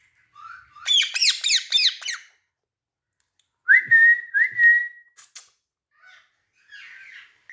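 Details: Indoor pet green parrot: a quick series of five harsh, falling squawks, then after a gap a clear, steady whistled note held about a second, followed by a few clicks and soft chatter.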